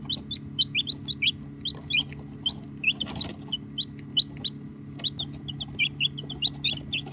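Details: Baby chicks of the domestic chicken, recorded on an iPhone XR, chirping steadily: many short high peeps, some rising and falling, from several birds overlapping, over a constant low mechanical hum.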